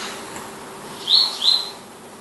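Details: Palestine sunbird: a pair of sharp, high-pitched chirps in quick succession after a quiet start, over soft background noise.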